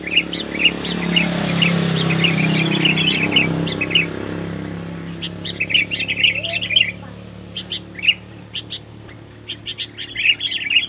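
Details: Sooty-headed bulbul singing loudly and clearly, meant to draw quiet bulbuls into song: scattered high chirps over a low engine rumble at first, then busier chirping runs once the rumble fades.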